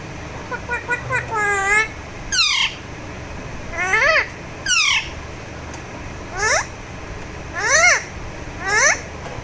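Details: A talking Alexandrine parakeet being massaged chatters in a rapid series of rising, speech-like phrases and sharp sweeping squeaks, about seven bursts spread evenly, with soft noise between them.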